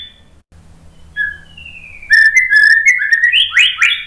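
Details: White-rumped shama song used as a lure to make other shamas answer and sing. After a near-silent start with one brief whistle, a loud burst of rising, sliding whistles and sharp clicks follows, climbing in pitch toward the end.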